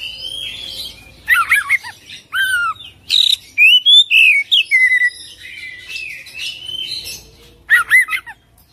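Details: Singing Oriental magpie-robin giving rich song: rising and falling whistled notes, looping slurred phrases and rapid buzzy flourishes in spaced bursts separated by quiet pauses.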